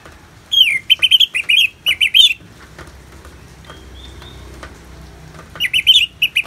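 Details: Orange-headed thrush singing in the loud ngeplong style, used as therapy with natural rain sounds: two bursts of rapid, warbling whistled notes, each phrase wavering up and down, separated by a few seconds of steady hiss.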